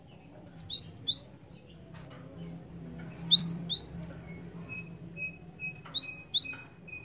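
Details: {'caption': 'Java sparrow lure call used to attract birds: three bursts of short, high, bright chirps, each a quick cluster of rising and falling notes, spaced about two and a half seconds apart, with a thin steady whistle-like tone and low background hum.'}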